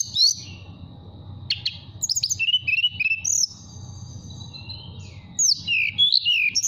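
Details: Caged mountain tailorbird from Purworejo, Central Java, singing in a relaxed flute-like style to call a female: thin high whistles and quick chirps, some notes held level, others sliding down, with a low steady hum underneath.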